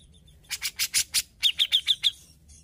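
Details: Grey-cheeked bulbul singing actively: five coarse, rasping bursts followed by five crisp, high chipped notes in quick, even succession.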